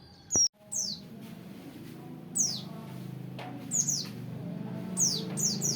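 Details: Oriental white-eye, open-beak training audio: a sharp click, then sparse high, thin notes sweeping steeply downward, arriving singly or in quick pairs over a steady low background hum.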